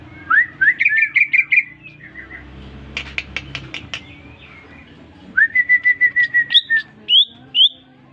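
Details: Greater green leafbird, newly bought and kept caged, answering whistling with song: rapid bright notes, a burst of sharp clicking strokes, then a steady string of whistled notes ending in a few higher slurred calls.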